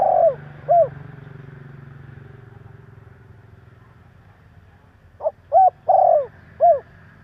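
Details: Spotted dove cooing as a lure to provoke other doves: two coos at the start, a long gap filled by a low vehicle rumble, then a phrase of short notes, a long throaty coo and a final clipped coo.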